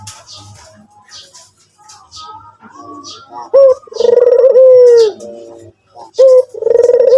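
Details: Soft chirps and twitters of other birds at first, then a white Barbary dove breaks in with a short rising note and a long throbbing low coo, starting another phrase near the end.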